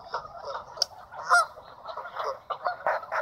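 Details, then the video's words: Geese approaching and landing on a lake, two groups one after another, captured on a built-in camera; faint, distant honking, repeated and overlapping, against quiet background noise. "Incoming geese"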